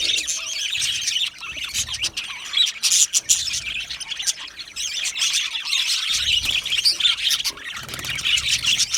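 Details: Aviary budgerigars in a busy chorus of high squawks, chirps and scratchy warbles, with a brief dip in loudness partway through.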